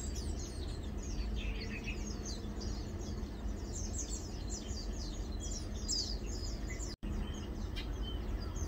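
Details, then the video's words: Lowland white-eye (Zosterops meyeni), known locally as Matang Dulong, heard on 2 August 2022 giving rapid high-pitched chirps and tweets in quick succession, with a constant low environmental hum and a brief dropout near the end. "Lowland White-eye | Matang Dulong (Zosterops meyeni)"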